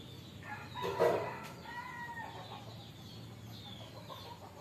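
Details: A tame Javan myna gives one loud, harsh, rasping burst, then a few short whistled notes over a low, steady background hum.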